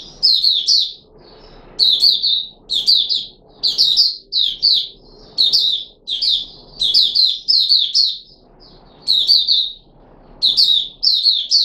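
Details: Red-whiskered bulbul (Puteh Raja) kept in a cage, given special fruit juice and a mealworm, 13 April 2021, sings lively clipped phrases of quick high warbled notes, repeated steadily with short gaps, faint background rumble.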